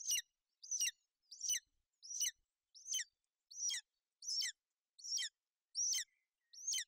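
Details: A female golden eagle shelters her chick on the nest in cloudy, inclement weather in Bucovina on 28 May 2021. She calls out, possibly to the male flying overhead, in a steady series of thin, high, sharp yelping notes, each falling slightly.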